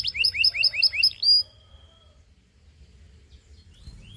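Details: Belgian canary song recorded to coach other canaries, opening with a run of paired bright chirps and a long clear whistle, then dropping to quiet with only faint high notes.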